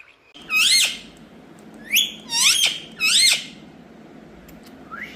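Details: Indian parrot, a rose-ringed parakeet kept indoors and said to be talking, gives four harsh, rising squawks with rich harmonics, separate bursts about a second apart, then a short upward call at the end; quiet room background.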